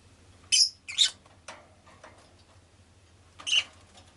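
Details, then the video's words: Rosy-faced lovebird kept indoors as a pet, producing a quick pair of harsh high chirps, then softer scratchy notes and another shrill chirp later, over a low hum. "Lovebird Chirping Sounds"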